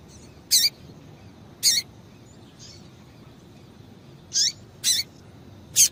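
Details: Female double-collared seedeater calling to stimulate males: five short, sharp, buzzy high chirps spaced irregularly over a few seconds, each a brief downward-sweeping burst, against a quiet background hiss.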